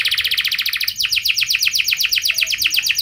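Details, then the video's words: Canary singing a lure phrase: a fast rolling trill of pulsed notes, changing after a second into a quicker series of short sweeping chirps, loud and continuous. "Pasti Nyaut Gacor Do00r Dengan Pancingan Kenari Cengkok Mewah Nembak Panjang Ini"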